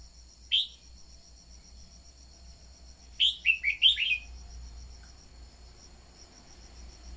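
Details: Red-whiskered bulbul singing as a decoy for rousing other birds: a single whistled note, then a rapid phrase of four slurred whistles, with a constant shrill insect drone in the background.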